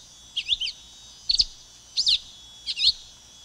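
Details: Four high, slurred chirp clusters from a silver-beaked tanager, each a brief tangle of rising and dropping notes, roughly two-thirds of a second apart, with a faint steady tone behind.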